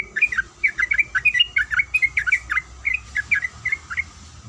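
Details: Yellow-vented bulbul female in breeding condition calling the male: bright chirped 'kuik' notes about seventy-eight a minute, slowing and thinning toward the end.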